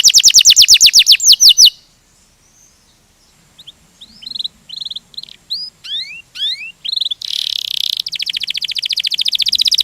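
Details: Canary song in the ngerol gacor style: fast whistled sweeps, a quiet gap, scattered upslurred chirps, then a dense rapid trill that builds to the end.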